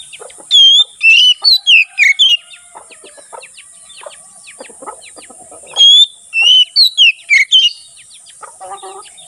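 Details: Oriental magpie-robin (kacer) singing in the open, full-voiced ngeplong style, used for tutoring caged birds and luring wild ones in forest: two loud bursts of whistled, slurred phrases near the start and middle, with soft clicks and chips between.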